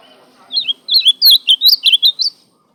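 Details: Song of the ultramarine grosbeak: clear warbling whistles tumbling up and down in a rapid series of about nine notes, strong and close, against a quiet background.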